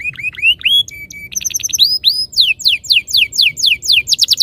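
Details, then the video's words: Canary song played to make canaries sing: rising whistled upslurs, a short flat note, clipped chips, then a steady series of loud sweeping downslurred whistles about four per second. "Suara mastetan burung kenari _ PANCINGAN AMPUH KENARI BIKIN CEPAT BUNYI NGEROL GACOR"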